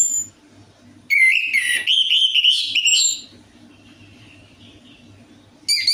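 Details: Orange-headed thrush singing as a lure to make a reluctant bird call: a two-second, loud, rich whistled warble of varied notes, a long faint thin tone, then the start of another loud phrase.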